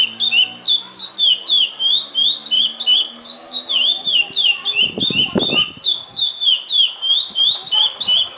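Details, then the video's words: Curió, the chestnut-bellied seed finch, in repetidor fibra song: rapid, evenly spaced whistled couplets with a downward slur, about three per second, continuing steadily; a brief low knocking noise intrudes midway and faint hum sits underneath. "CURIÓ DE FIBRA REPETIDOR"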